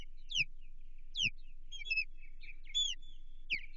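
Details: Osprey calling from its nest on the Chesapeake, 15 June 2023, reacting to an intruder: sharp, high, downslurred whistles about once a second, separated by quieter chirps, each loud note paired with a dull low knock.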